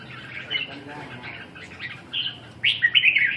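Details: Red-whiskered bulbul calling in a series of short bright chirps and warbled whistles, growing louder toward the end with a rich, rapid phrase, over a faint low hum.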